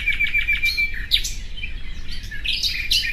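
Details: Common nightingale: a short run of pure repeated whistled notes, a drawn-out whistle, then a few emphatic varied chirps with pauses between.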